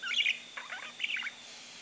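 A male budgerigar gives a brief, chattering warble of quick chirps and squeaky notes.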